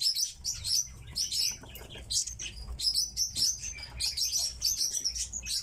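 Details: Tits kept as pet birds call with rapid, sharp high-pitched chirps in clustered runs, the notes coming in uneven bunches over faint low rumble.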